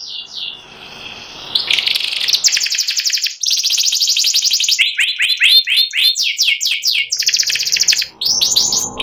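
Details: Canary of the white panda variety singing ngeriwik-style: varied high phrases switching between rapid rattling trills and sets of quick down-slurred chirps repeated several times, continuous and loud throughout.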